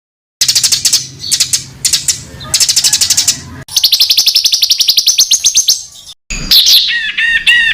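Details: Songbird master recording of dense rapid fill phrases for tutoring contest birds: bursts of fast high trills and buzzy rattles in spliced segments, a steady rattling run mid-clip, ending with looping whistled notes; faint low hum underneath.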